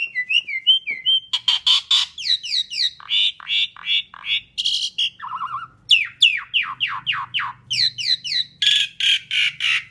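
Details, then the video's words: Asian pied starling song used as a lure for other birds: a fast stream of sharp falling chirps and harsh notes, about three per second, broken by a buzzy burst and lower whistles. "Kicau Jalak Suren Gacor Paling Nyaring - Durasi Panjang ISIAN FULL ROLL cocok untuk PANCINGAN"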